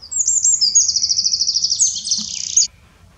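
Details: Eurasian wren song recorded in the Eifel, Germany: shrill, high and hurried, a steady machine-gun trill of sharp notes running into a faster buzzing section before stopping suddenly; quiet background.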